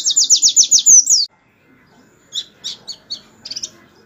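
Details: Canary tutor song for white-eyes, starting with a quick rolling trill of repeated high notes that ends in a rising whistle. After a pause come a handful of separate sharp chirps over soft low background noise.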